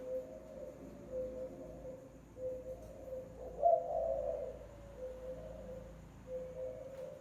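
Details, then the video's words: Spotted dove lure call: one swelling, husky coo phrase framed by soft, level low notes, calm and quiet background. "TIẾNG CHIM CU GÁY MỒI"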